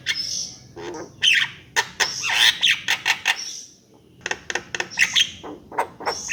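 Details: Javan myna singing a jumble of squawky, rasping notes and clicks in dense bursts, a short silent gap near the middle, then more harsh chattering phrases.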